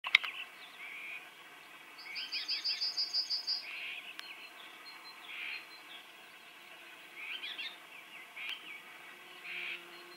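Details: Common whitethroat, described as possibly this species and alarmed by something, calling in the open: short harsh rasping bursts come every few seconds, with a brief run of thin high ticking notes early on and steady background hiss.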